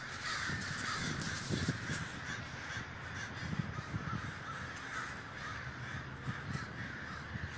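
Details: Crows massing in a great communal gathering in Davis, California, cawing together in a thick wall of rough, overlapping calls, rapid and irregular, with a constant low background hum beneath the crowd.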